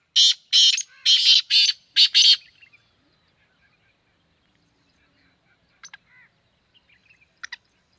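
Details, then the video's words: A black francolin in Sindh, Pakistan, gives a rapid burst of harsh, grating notes in two quick groups, then falls quiet. A few faint, thin chirps follow. "Kala Teeter"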